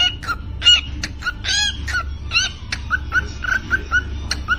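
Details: Pet parrot performing a 'Happy new year' song: a mix of harsh squawky syllables and short clear whistles, ending in a quick string of whistled notes, with a steady hum underneath.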